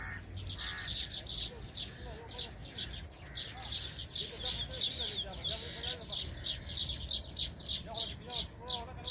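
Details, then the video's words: Weaver birds building many nests in a farmhouse tree: dense, overlapping high chirps and tweets from several birds, with a steady high insect-like whine throughout and faint low sounds beneath. "Weaver Birds Building Nest"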